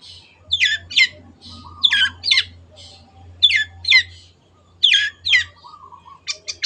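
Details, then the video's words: Long-tailed shrike in full, lively song used as a tutor recording for caged birds: pairs of harsh, scratchy rising notes in bursts about every second and a half, with softer low notes between and a faint steady low hum. "MASTERAN BURUNG CENDET GACOR"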